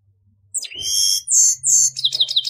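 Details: Grey-headed goldfinch, a songbird of the finch family: a sharp high note drops into a long steady whistle, then bright buzzy trilled phrases and a quick chattering series of notes at the end.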